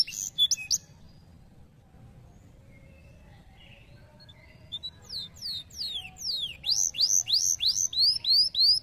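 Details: Canary singing: a few scattered chirps and soft notes, then a loud run of rapid, repeated downward-sweeping whistles, about three per second.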